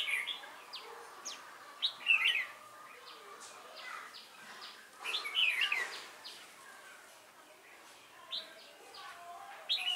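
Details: Decoy red-whiskered bulbul at a trapping site, thick-crested with a bell-like voice, recorded on 12 November 2017; quick chirpy whistled phrases in scattered bursts, two louder warbled runs standing out over soft background chatter.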